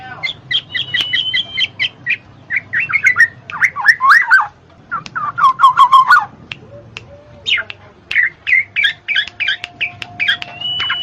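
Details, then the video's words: Black-naped oriole, used as a lure to make idle birds sing: fluting whistled phrases that twist and drop, two sets in the middle, amid a busy background of short chirps. "SUARA KEPODANG MAS"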